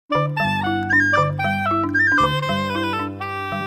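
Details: Instrumental music with a woodwind melody over sustained low notes, clarinet-like and continuous.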